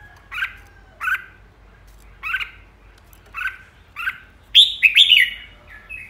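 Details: Red-whiskered bulbul flock leader in 'ché' song: five separate slurred chirps roughly a second apart, then a louder, busier burst of bright whistled notes near the end; quiet background.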